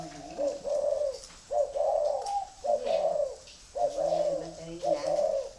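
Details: Grey-legged, red-eyed spotted dove from a Ba Vì, Hanoi dove farm in Vietnam delivering 'thổ'-style song: deep, rounded coos in steady two-part phrases, each lasting about a second, repeated roughly every 1.2 seconds with brief gaps.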